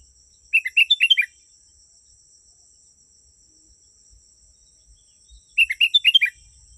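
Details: Sooty-headed bulbul song, a genuine recording used to draw wild bulbuls closer: two short bubbly phrases of quick, tumbling, slightly descending notes about five seconds apart, over a steady high insect drone.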